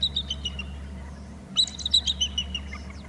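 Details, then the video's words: Bald eagle on Hornby Island, recorded by a nest and territory camera as it rises to the babysitting tree, gives a short high piping series, pauses, then a sharper descending string of thin chittering notes over constant low background hum. "eagle from below to the top of the babysitting tree, hear calls"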